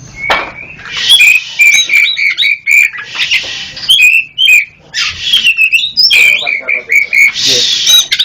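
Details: East Java black-chested Oriental magpie-robin, local kacer, in masteran recording: rapid strings of sharp whistled notes alternating with several harsh, broad buzzy bursts, loud and continuous.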